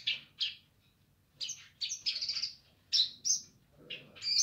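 A streaked spiderhunter gives loud, sharp, chattering notes in quick bursts, about two per second with brief pauses, high-pitched and harsh; nothing else intrudes.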